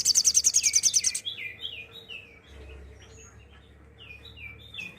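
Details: Sooty-headed bulbul giving a 'tembakan' burst song, used as tutor material for training songbirds: a rapid, high buzzy rattle of about a dozen pulses for one second, then a run of quick, slurred, downward-sliding whistled notes.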